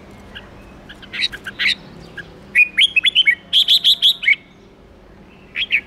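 Red-whiskered bulbul singing lively bursts of bright, liquid whistled notes, including a quick run of five or six clipped chirps, with short pauses between phrases.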